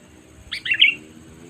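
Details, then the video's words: Sooty-headed bulbul lure call used to attract wild birds for trapping: a single short, bright chirpy phrase of quick tumbling notes, rising then falling, with faint low background rumble. "Suara Panggilan Kutilang Memanggil Burung Liar ‼️ Pikat Kutilang Cengkram"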